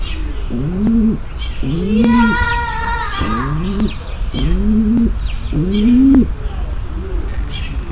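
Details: Female pigeon's mating call to prepare the male: about six short, rising coos at an even pace, with a brief higher buzzy note overlapping midway and faint bird chirps.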